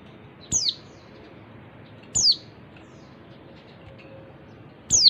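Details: Female oriental white-eye call meant to stimulate males into song: three sharp, high descending whistles, spaced irregularly at roughly one and a half to three seconds, with a quiet steady hum beneath.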